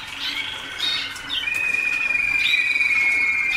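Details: Young Waterslager canaries a few days into song-school training, with much still to learn in their song; long, steady whistled tones held level, with a brief rising note before a sustained tone near the end.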